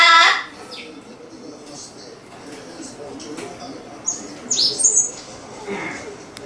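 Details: Amazon parrot kept indoors calls to a white cockatoo upstairs: a harsh squawk at the start, then a quiet pause, a burst of high whistled chirps, and a softer rasping note near the end.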